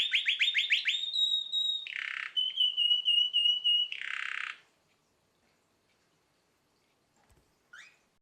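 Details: Canary roughly nine months old: fast rising slurred notes, a held whistle, buzzy bursts and a rapid trill, then the song stops and near silence follows with a faint note at the end.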